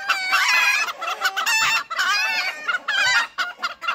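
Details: Several roosters crowing over one another: overlapping harsh harmonic crows, each a second or so long, running almost continuously.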